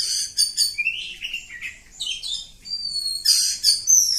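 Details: Oriental magpie-robin of the kacer kampung type, singing long and continuous ngacor song. Rapid, scratchy high chatter and rising, warbling slurs lead into level whistles and loud, buzzy bursts.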